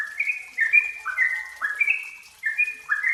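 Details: Short burst of yellow-vented bulbul song used as a training lure: bright whistled notes dropping into bubbly slurs, in three quick groups.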